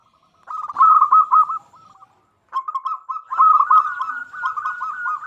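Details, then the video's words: Zebra dove of local stock singing as a lure for other doves: a rolling phrase of quick gurgling coos, a pause, then a longer run of repeated coos. "Perkutut Lokal Gacor Suara Paling Ampuh Untuk Pancingan Burung Perkutut Agar Bunyi"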